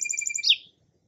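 A Song Sparrow's song fragment: a quick run of about seven clipped, even notes, then a brighter slurred note that drops in pitch and fades.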